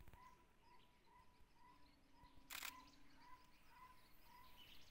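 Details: Jungle owlet at Tansa Wildlife Sanctuary, Maharashtra, India: a steady series of short, mellow hooting notes, evenly spaced about twice a second, with one sharp click midway and a faint low hum underneath.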